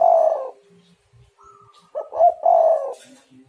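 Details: Spotted dove calling as a lure to get other doves cooing: low, mellow coos, one drawn-out note, then a short pause and a quick stuttered pair leading into a longer falling coo.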